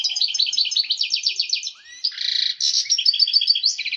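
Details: Goldfinch singing excitedly at the height of breeding condition to stimulate females; quick repeated liquid chirps, a gliding note, a dense buzzy block, then more fast high twittering.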